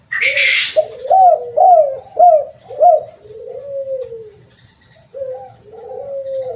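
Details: Spotted dove call used as a lure: a brief noisy burst opens, then a run of short, rising-and-falling cooing notes about every half second, ending in longer drawn-out coos.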